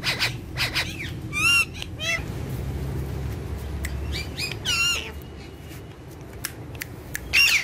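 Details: Two ringneck parrots that are said to talk and dance together. Loud, grating wavy squawks come in short bursts with quieter chirps between them, over a faint low hum.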